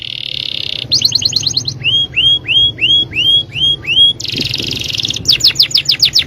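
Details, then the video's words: Canary song from a yellow bird, built from varied high sections: a steady buzzy tone, rapid rattling trills, a run of six clear upslurred whistles, then another dense buzz and fast trill, with faint low hum behind. "#birdsong #canarylover"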